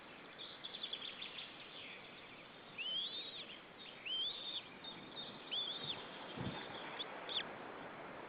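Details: Estonian White-tailed eagle nest with one chick, recorded 25 April 2013. A run of high, piping whistles, each curving upward then dropping, comes about once a second. One dull low thump is also heard.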